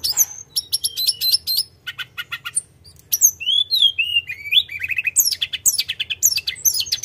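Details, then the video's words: Sunda robin (tledekan gunung) singing a vigorous rolling song: bursts of rapid high chattering notes, then clear descending whistled slurs, fast dry trills and a final run of sharp varied chirps, with a faint low hum beneath. "Kicauan Tledekan gunung full gacor ngeroll"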